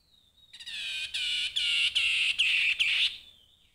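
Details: Grey-headed babbler singing a run of about six loud, harsh, buzzy notes in quick succession, each with a bright whistled core, set between soft lead-in and trailing tones.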